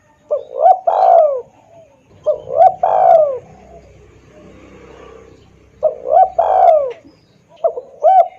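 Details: Spotted dove calling as a lure for wild doves: three repeated phrases of two short upswept notes followed by a long sliding coo, with a faint background hum between them.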